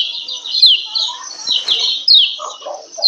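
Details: A female lemon-bellied white-eye calls 'ciak ciak' to stir males into breeding condition and make them sing often. Her thin, downward-sliding chirps run on continuously, while lower muffled sounds rise toward the end.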